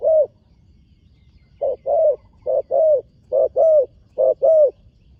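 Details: A young spotted dove out at a competition field for its first time calls with repeated two-part coos, a brief note then a drawn-out mellow one, pairs spaced under a second apart after an opening single coo.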